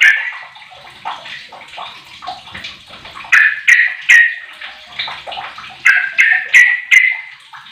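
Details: Lure song from a 15-year-old sooty-headed bulbul meant to make other bulbuls sing. Low chattering warble breaks into loud, emphatic liquid notes in two bursts, roughly three per second, each with a crisp onset.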